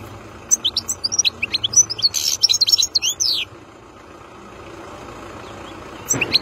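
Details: European goldfinch caught in the wild, singing a rapid three-second phrase of high tinkling and buzzy twitters, followed by quiet background and a brief restart at the end.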